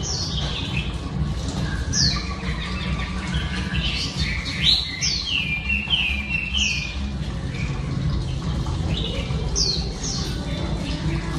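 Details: Female Oriental Magpie Robin song intended to rouse males: scattered downslurred whistles and short repeated chirps, partly masked by a strong low rumbling background noise.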